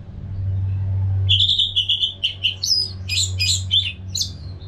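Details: Orange-headed thrush, a caged bird recorded in Singaraja, North Bali, singing nonstop as a training sound for other birds: after a second of low hum, a run of loud whistled and warbled phrases around mid-high pitch, varied and rapid, over constant low background hum.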